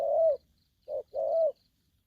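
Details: Young spotted dove in aggressive 'thổ' style calling: a long hooting coo, then a short note and a second drawn-out coo.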